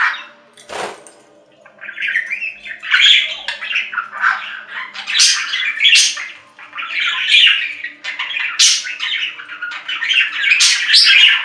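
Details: Budgerigar calls, likely a pet bird indoors: an unbroken, scratchy warbling chatter mixed with sharp squeaks and clicks, rising and falling in loudness over eleven seconds, over a low background hum.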